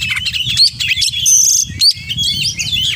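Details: Oriental magpie-robin singing a varied mimicry-filled phrase: clear rising whistles, a sustained high thin note and quick chattering slurs, with faint low hum underneath.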